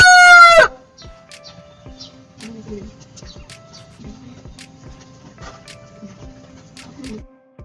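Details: A recorded rooster's crow cuts off at the start, its loud harmonic note falling at the close. Faint bird chirps, human voices and other distant background noise follow.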